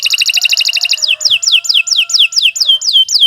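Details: Canary song used as a master recording for training young songbirds: a fast trill of rapid repeated notes, then a slower series of loud downward-sweeping whistles repeated about three times a second.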